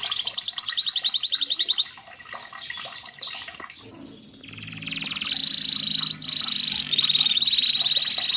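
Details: Red canary song: a rapid high rattling trill, a quieter stretch with a low hum, then a long sustained buzzy roll at high pitch broken by brief chirps.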